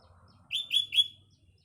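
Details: Sooty-headed bulbul singing in the morning amid green nature: three quick bright chirping notes in a row, each dropping slightly, over a faint low hum.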